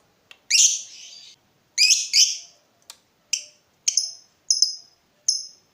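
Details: Lovebird, used as a training model for other birds, giving sharp separate high chirps and squeaks, some with short trailing buzzes, spaced about half a second to a second apart.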